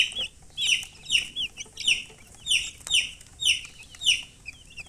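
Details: Chicks cheeping in a steady run of loud, high, downslurred peeps, about one every half second, each sharp and slightly wavering, with no other sounds.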